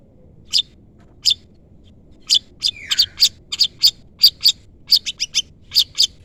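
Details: Long-tailed shrike calling to lure a rival, used as a caged-bird training lure: sharp high chirps, spaced at first then in quick clusters, with one descending buzzy rasp near the middle; quiet background.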